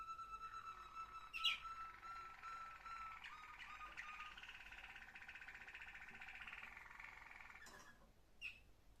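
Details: A Waterslager Malinois canary, recorded 21 December 2025, sings a long, continuous rolling warble, low and liquid for a canary, broken by a few sharp higher notes.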